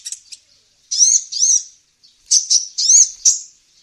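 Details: Sunbird calls played to lure wild birds: two faint ticks, then bursts of high, thin, twittering notes with sharp rising and falling sweeps, in two groups separated by brief silence.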